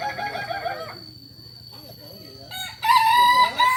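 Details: Native Solok chicken of the Kokok Balenggek breed from West Sumatra, prized for its tiered crow. Harmonic crowing at the start fades into quieter distant crows, then a loud, bright, steady crow breaks in near the end.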